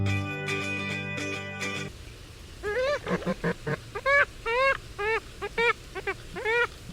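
Purple Swamphen giving a run of loud nasal, squealing hoots, about two per second, each with a wavering upward inflection; a brief burst of music comes first.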